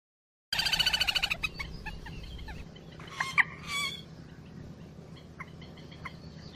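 Common moorhen giving a fast run of about nine harsh clucking notes, then scattered single clucks and a louder, croaking burst.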